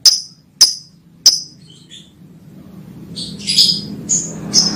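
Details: Lovebird chirping to call a female: three sharp, high single chirps about half a second apart, then a softer jumble of high twittering notes over a low background hum.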